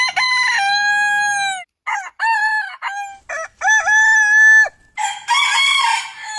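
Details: Domestic rooster gives loud crows: a long steady held tone, then choppy broken syllables and another sustained crow, ending in a rougher, noisier call.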